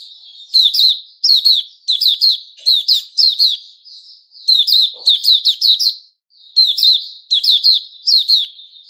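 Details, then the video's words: White-rumped shama, the Puteh Raja, singing on 29 August 2021: a steady run of clipped, high chirpy phrases repeated about every half second to second, with short gaps and one faint low knock. "Puteh Raja Sing Buka"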